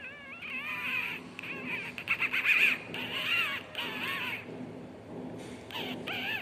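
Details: Several pet cockatiels, described as happy, chattering with wavering, warbled whistles and harsher screechy notes in bursts, against constant background noise.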